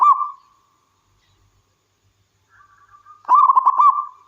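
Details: Wild local zebra dove singing actively. The end of one cooing phrase fades out, followed by soft introductory notes and a loud burst of rapid, pulsed coos, all on one steady mid pitch, in a quiet setting.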